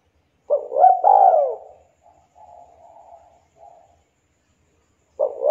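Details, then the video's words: Local Javanese turtle dove singing to coax reluctant doves: a mellow rising coo into a long falling note, then soft low sustained murmuring, and a new phrase starting at the end. "derkuku lokal jawa super gacor suara merdu tajam,cocok buat pancingan derkuku yg lagi malas bunyi"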